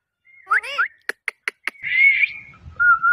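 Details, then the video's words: Pet parrot eating melon seeds: a harmonic whistled warble, then four short sharp clicks, a drawn-out buzzy whistle and a final steady whistle. "natural talking sound voice"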